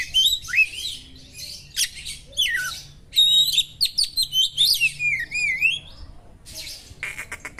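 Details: Kacer (Oriental magpie-robin) pouring out sharp 'materi' of small-bird imitations to provoke rivals; varied whistles, rasping notes and falling slurs strung together nearly without pause, ending in harsh buzzy bursts.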